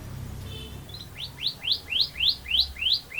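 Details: Canary singing actively in a long rolling song: a faint high trill, then a steady run of rising swept notes, about three each second, bright and whistled.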